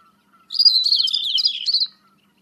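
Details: A common whitethroat delivers a short, hurried scratchy phrase of chattering notes, roughly one and a half seconds long, while fainter calls of other birds sit in the background.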